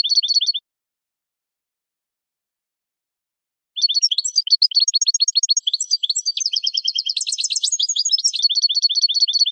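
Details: Goldfinch training song for captive birds: a short trill, a long silence, then an extended outpouring of rapid twittering, buzzy trills and repeated chattering notes.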